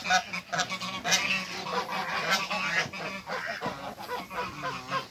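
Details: Domestic African geese, a pair on a waterbird farm, giving rapid, overlapping nasal honks about once a second amid rustling and clattering background noise.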